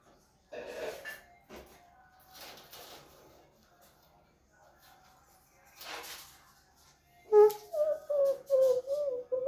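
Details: A pet talking parrot making various sounds: soft scratchy noises, then a run of loud whistled, wavering tonal notes repeated quickly near the end, indoors.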